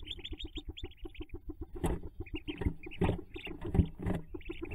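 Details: Hooded merganser nest jump by ducklings, May 5, 2024: rapid low clucking pulses with high peeps, joined partway by louder rustling and thumping noises.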